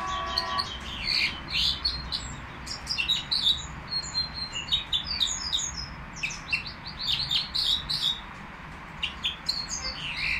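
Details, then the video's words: Nightingale song recorded at the Al-Qri'a bird market. Dense bursts of high chirps and rapid twittering notes come in runs, with a short pause near the middle, over a constant low market hum. "تغريد طائر الهزار"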